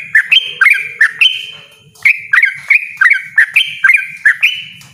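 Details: Loud, persistent yellow-vented bulbul song in the fast 'ropel' style, rich gurgling whistles with abrupt upswept starts, delivered in quick bursts with a short gap, soft low rumbling behind.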